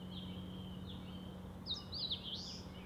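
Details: Eastern crowned warbler in Shari, Hokkaido, Japan, singing thin, high drawn-out notes, then a quick jumbled burst of sweet, slurred phrases, over a steady low hum.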